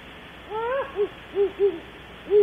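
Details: Night hooting at Audubon Starr Ranch, California, around 3 am: one great horned owl gives a slightly rising hoot, then a series of short, low hoots in a broken rhythm, ending on a louder note, with steady hiss behind.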